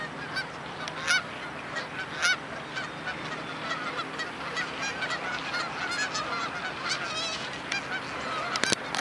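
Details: Massive gathering of geese resting on soft mud, calling nonstop in a thick wall of honks and higher yelps, with a few louder nearby birds; a brief sharp knock sounds near the end.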